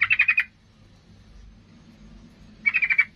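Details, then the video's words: Worked-up sooty-headed bulbul, singing to drive rivals into a fight, delivers two short bursts of fast, buzzy, rattling chirps separated by about two seconds of quiet. "Suara trucukan gacor Garuda emosi ini paling pandai membuat lawan jadi Ngamuk tarung"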